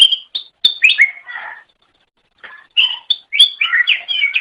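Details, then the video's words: Cucak ijo song for training songbirds: sharp whistled notes and chattering, slurred phrases, a brief pause, then an energetic burst of varied warbling. "Ocehan Suara Burung Cucak Ijo"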